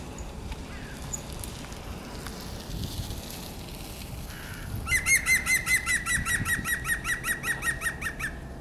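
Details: European green woodpecker by the Żerański Canal on 9 March 2021: after a quiet stretch, a loud laughing series of about fifteen rapid, ringing notes, slightly falling in pitch toward the end, over faint background hum.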